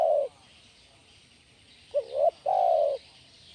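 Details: Spotted dove coo used to lure and train other doves: one low drawn-out note, a pause, then a short hooked note followed by a longer steady coo, with a faint high hiss behind.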